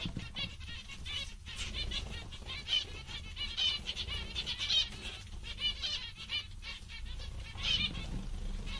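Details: Several zebra finches, described by their keeper as very happy and amusing today, give a steady stream of short, nasal, high beeping chirps together, with fluttering wingbeats and a low background rumble.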